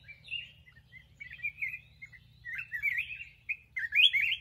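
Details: Black-crested bulbul delivering a steady run of chattering, warbled phrases, bubbly notes rising and falling without pause and growing louder toward the close, over a faint low background hum.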